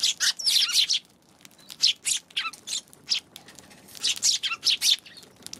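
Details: Chirping of Eurasian tree sparrows recorded on 11 January: bursts of rough, high twittering notes in three groups separated by short quiet gaps.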